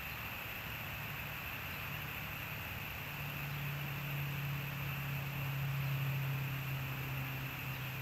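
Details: Constant broadband hiss with a steady low electrical hum and a thin high whine, with no animal voices heard.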